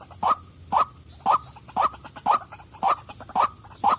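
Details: Eight sharp, hoarse notes from a calling female white-breasted waterhen, evenly spaced about half a second apart, with quieter clicks between them.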